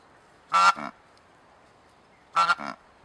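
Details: Cape Barren Goose, a bird of southern Australian and Tasmanian coastal plains and lakes, giving two loud harsh honks nearly two seconds apart, each a ringing shout followed by a shorter, lower grunting note.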